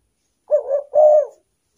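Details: Spotted dove cooing as a lure for wild doves, a short undulating note and then a longer even coo, clear and close with a silent background.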